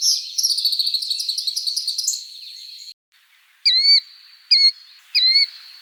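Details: Eastern Wood-Pewee in the eastern US in spring or summer: three short, clear, slurred whistles about a second apart, following a burst of jumbled, twittering song from another bird. Finding: Eastern Wood-Pewee.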